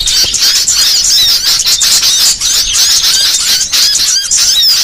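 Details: A training recording of varied burcil song for teaching songbirds. Rapid, high-pitched chattering with overlapping swept whistles and squeaks pours out without a break.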